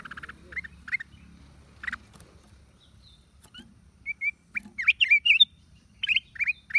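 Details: Black-crested bulbul, 29 December 2023: buzzy chatter and scattered chirps, a quiet gap, then a livelier run of short slurred whistles and repeated rising chirps toward the end.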